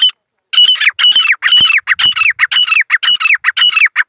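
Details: Two female and one male grey francolins (desi partridges) call together in a fast, harsh, ringing chorus, about two loud notes a second, overlapping without pause.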